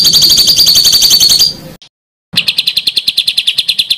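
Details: Songbird master with harsh rolling material for contest birds: a dense high buzzy trill, a brief silence, then a steady run of clipped rattling notes about three a second.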